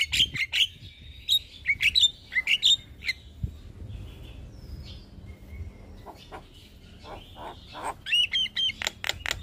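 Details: Morning song of a Javan myna used as a master recording for caged birds: quick whistled and harsh notes in clusters, a softer mid-section, then a loud run of sharp clicking notes.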